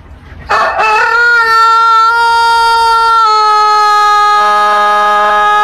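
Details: A rooster (Gallus gallus domesticus) gives one long, drawn-out crow, rich and nasal, held at a steady pitch for about five seconds before dipping slightly at the end.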